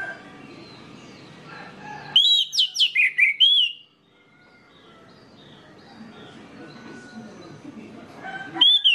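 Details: Song of an orange-headed thrush, played to get other birds of its kind singing: a fast burst of six loud, slurred whistles, then a long quiet pause over a low background murmur, and a fresh whistle at the very end.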